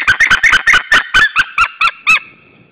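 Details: Pair of wild white-tailed eagles calling at their nest in Estonia toward another eagle, 26 April 2013, evening: a rapid burst of harsh yelps that slows and spaces out, ending in one last sharp note.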